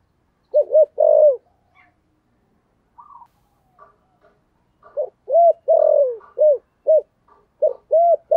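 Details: Spotted dove in the giọng thổ sấm style, calling loudly: repeated phrases of deep, arched coos, one note drawn out longer, the groups coming every few seconds with scattered faint chirps between.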